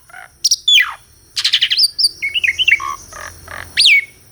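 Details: Asian pied starling singing in a real recording: loud downslurred whistles, harsh broad rasps and a run of short chattering notes, ending with a rising then falling whistle; faint low hum in the background.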